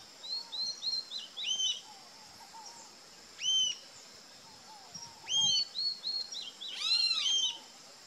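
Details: Rufous-tailed jacamar calls with high, arched whistles, single and in quick clusters. A final burst of several stacked ringing notes closes the sequence, amid chattering of other birds and soft low notes.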